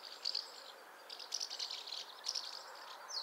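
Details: Soft groups of quick chirps from a house martin, three clusters of short tweets separated by quieter spells over faint hiss.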